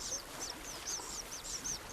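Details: Male Common Kingfisher calling at the nest by a stream in Germany's Westerwald, signalling the female to leave the freshly hatched chicks and that it is feeding time: thin, shrill, very high whistled notes, repeated quickly several times a second, over faint hiss.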